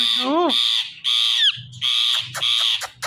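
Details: Happy pet parrot calling loudly: a rising, whistled swoop opens a series of long, harsh, buzzy screeches broken by short pauses, with faint low murmurs in the background.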